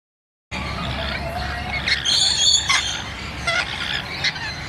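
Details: Rainbow lorikeets on a balcony give shrill, harsh screeches in bursts about a second apart, with softer chattering between them over a low background rumble.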